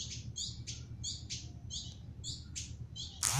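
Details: Canary calling with evenly spaced, bright chirps at a quick steady pace, with a constant low hum underneath and a sudden loud noise at the very end.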